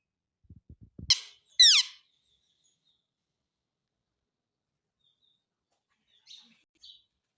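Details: Indian ringneck parakeet kept as a talking pet in India: two loud harsh screechy notes near one second, a few low taps before them, then quiet with two faint short chirps near the end.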